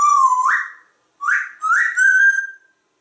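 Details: African grey parrot kept indoors at a home in Texas, whistling a pretty song during a session with its owner. Three pure, rising whistled phrases, the last held steady before fading, with no other sounds.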